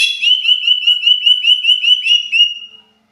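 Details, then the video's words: Agitated greater green leafbird, a caged songbird used to provoke other birds into singing, giving a fast run of high whistled notes about five per second, steady in pitch, fading out after two and a half seconds. "Pancingan burung cucak ijo emosi"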